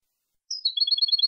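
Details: European goldfinch song for training young birds. A thin, sliding high note leads into rapid, evenly repeated two-pitch notes, cut off mid-trill. No other sounds.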